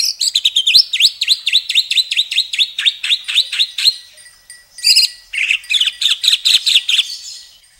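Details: White-rumped shama singing a long, rich masteran burst: a rapid series of sharp downslurred whistles repeated about five times a second, a brief pause, then further quick repeated notes.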